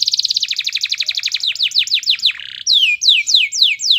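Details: Energetic canary song used as a master recording to prompt other canaries to sing: rapid high trill of repeated notes, then slower descending downslurred whistles, a brief buzzy phrase, and clear falling sweeps.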